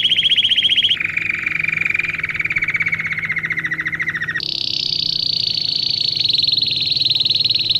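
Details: Domestic canary singing, meant for training young birds: continuous rapid trilled rolls, a brief high trill, then a long lower buzzy roll for about three seconds, then a higher fast rattling roll to the end, over a faint low hum.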